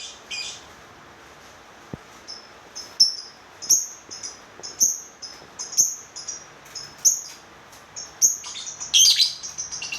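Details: Lovebird making short, high squeaky chirps repeated roughly every half second to second, ending in a harsher, louder burst.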